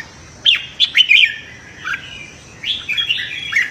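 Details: Morning competitive song of a red-whiskered bulbul, meant to stimulate freshly caught birds. Two quick sharp notes lead into a slurred warble, then a second rich, rolling phrase after a short pause.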